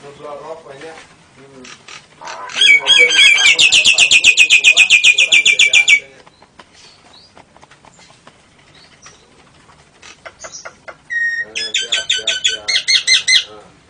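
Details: Nias hill myna giving lovebird and canary imitations: mixed low warbles, then a loud, fast, ringing trill lasting several seconds, a quiet gap, and a second burst of rapid high chattering notes.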